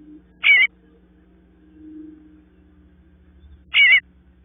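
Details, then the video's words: Young bluebirds awaiting their parents; two short, scratchy, buzzing cries a little over three seconds apart, separated by near silence apart from a faint low murmur and hum. "Bluebird babies waiting for their parents to call them out"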